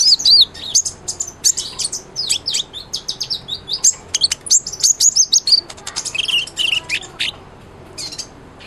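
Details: Sunbird, the kind called kolibri ninja, singing steadily, used as a tutor song for training a white-rumped shama: rapid, very high twittering of thin chirps, sharp upslurred notes and short trills, about three per second, with brief pauses near the end.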